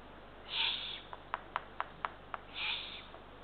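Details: At a Kassiakk eagle-owl nest in Estonia, around 00:31 on 23 June 2023, during a night feeding of small rodents to one of three ringed chicks: two hoarse hissing rasps two seconds apart, with a run of crisp ticking clicks between them.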